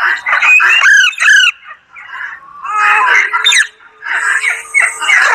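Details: A pahadi parrot talking, with harsh, strained squawking syllables and rising and falling wavering tones in three loud bursts separated by brief pauses.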